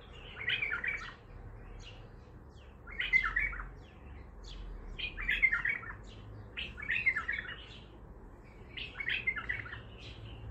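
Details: Untrained Baghdadi-style bulbul singing a run of five or six bubbling, whistled phrases over ten seconds. The phrases come roughly every one and a half to two seconds, each ending in a short rattling flourish, over a low hum.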